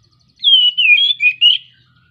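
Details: Oriental magpie-robin (kacer) in breeding condition, song used as a lure to prompt silent birds to sing: a loud, clear phrase of sweeping whistled notes around mid-high pitch, in about four connected segments over one second, background otherwise quiet.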